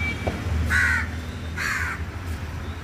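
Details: A crow at Omkareshwar temple at about eight in the morning, around sunrise on a very cold day, following a person and calling; two harsh, nasal caws about a second apart over a low rumble.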